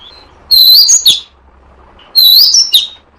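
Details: Oriental magpie-robin lure call meant to draw birds into a trap: two matching loud phrases of bright, sliding whistles, each about half a second long, separated by a short pause.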